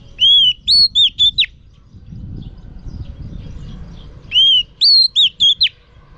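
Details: Female oriental magpie-robin song for provoking males: a warbling phrase of looping, wavering whistles, given twice with a gap of about three seconds in between.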